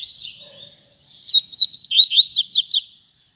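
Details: Double-collared seedeater (coleiro) singing the tui tui zel zel song style: high thin whistled notes sliding and wavering, then a quick run of about six sharp descending slurred notes near the end.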